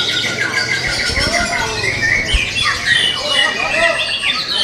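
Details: Young forest-origin White-rumped shama in a cage with a varied whistled and trilled song, some low knocks and faint voices behind it.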